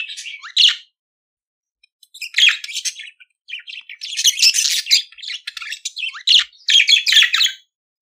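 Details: Pet budgerigar singing: a brief chirp, a pause, then long chattering warbles of buzzy, scratchy notes mixed with sharp chirps, running in dense bursts with a quiet background.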